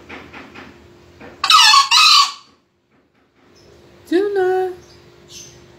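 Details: Single raspy, broadband double-burst crow from a green junglefowl, with faint background noise before it and a later smooth rising tonal call.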